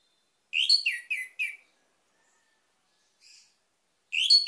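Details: Song of an orange-headed thrush, played to coax other birds into song: a rapid phrase of four or five loud whistled notes stepping downward, a faint short note, then a new phrase starting.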